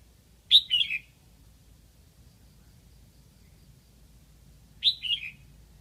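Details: Decoy red-whiskered bulbul from Lạng Sơn calling to lure wild birds: two short, bright, warbled phrases about four seconds apart, each a quick high note dropping into a slurred couplet, over quiet background.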